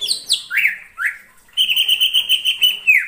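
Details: Greater green leafbird in the wild forest: high descending slurred whistles, two looping notes, a short pause, then a long steady trilled whistle ending in a downward slur.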